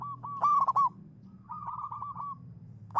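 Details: Local zebra dove, a champion lure bird singing (manggung): a loud rolling cooing phrase with quick stuttered notes, then a softer trill of notes, and a new phrase starting at the end. A faint low hum runs underneath.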